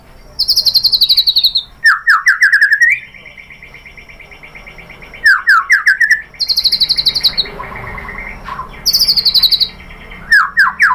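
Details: Singing white-rumped shama used as a provocation lure: bursts of very high thin trills alternate with fast rising chirp series and sustained buzzy notes, separated by short quiet gaps, repeated three times.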